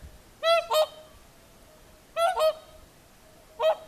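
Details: Whooper swans giving their evening song at sunset on the shore of Lake Saimaa, Finland: two double honks, each pair of brassy trumpeting notes in quick succession, then a single honk, with calm background.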